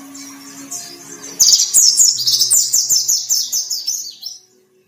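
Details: White-breasted white-eye singing vigorously, a bird kept ready for hanging in song contests: after a quiet start, a rapid run of high, sharp chirping notes, about three per second, slowly falling in pitch before stopping abruptly; faint low hum behind.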